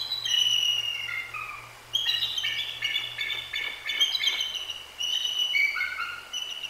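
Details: Female bald eagle and her mate at their Decorah nest call a lot after a Great Horned Owl attack at night; dense overlapping high squealing and chittering whistles, descending slurs, nearly continuous, with faint low hum.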